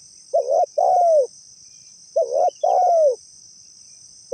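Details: Spotted dove giving its lure call for trapping: a wavering double coo followed by a drawn-out descending coo, repeated about every two seconds, under a thin continuous high buzz.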